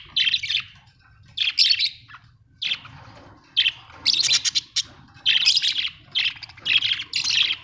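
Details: Several Australian budgie parrots chirp busily: rapid, high, scratchy tweets and squawky bursts follow one another almost without pause, with short breaks between the clusters.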